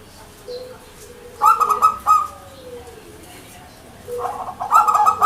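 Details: Zebra dove (perkutut), local Indonesian bird, gacor manggung song: rapid rolling trilled phrases with soft lower notes leading in, two bursts about three seconds apart.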